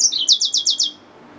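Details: Hybrid finch, a yellow-fronted canary mule, delivers a short, high trill. About five quick, bright, downslurred notes come at an even pace, then the song stops abruptly. Nothing else is heard.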